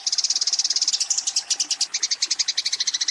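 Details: Eurasian tree sparrow in a fight calls its rival with a rapid, even volley of harsh chirps, about seven per second, for three seconds.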